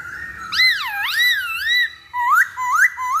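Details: Masked laughingthrush used as a pancingan lure: loud wavering whistles sliding down and up, then a pause and three sharp rising whistled notes in quick succession.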